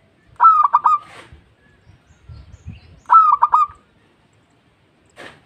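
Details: Calling local zebra dove seeking companions: two short bursts of three or four clipped cooing notes, about three seconds apart, with faint low knocks between them and a brief noisy rustle at the end.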